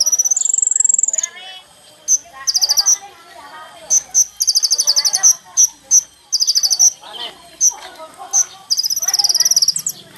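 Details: Sunbird known locally as kolibri ninja in full song, used as a lure: an opening high whistled slur, then short bursts of very high, rapid ticking trills and single sharp chips repeated irregularly, with a faint busy background.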